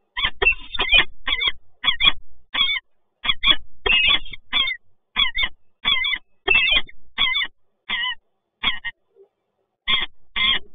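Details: Peregrine falcons, resident birds meeting in Toruń on 26 August 2022, give harsh, ringing calls in rapid bursts, roughly one and a half per second, with brief pauses and a short gap near the end.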